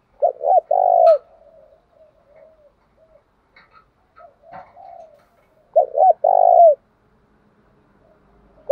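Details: Spotted dove cooing, used as a lure to provoke rival males to fight; two loud stuttered coo phrases at start and end, with faint soft murmuring coos between them.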